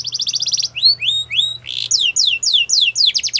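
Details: Singing yellow canary, stated to be wild: a fast rattling trill, three separate rising whistled notes, a short buzz, then a string of loud downslurred chirps ending in a quick trill.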